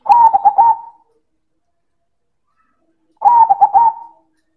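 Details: Silver zebra dove, loud manggung cooing: two identical stuttering phrases about three seconds apart, each roughly a second of rapid, slightly wavering mid-pitched coos ending in a sustained note, in a quiet setting.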